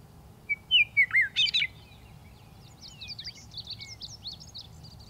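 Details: Western meadowlark singing: a clear whistled phrase of slurred descending notes followed by a quick gurgling flourish, with fainter twittering of other birds afterward over low steady background rumble.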